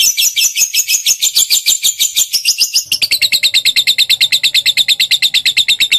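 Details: Lovebird sound played to prompt a caged bird to answer: continuous rapid, shrill pulsed chatter, higher and noisier at first, shifting after three seconds to a steadier, evenly beating buzzy trill.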